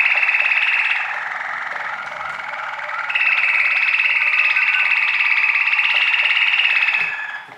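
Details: Waterslager canary song made of a dense, continuous rolling trill, bubbling and buzzy, that dips softer midway and then swells back to full strength before fading at the end.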